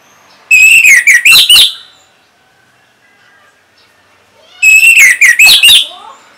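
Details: Orange-headed thrush song used to prompt non-singing birds to answer. Two loud, similar phrases about four seconds apart each open with a drawn-out whistle, then break into quick, sharp, slurred notes.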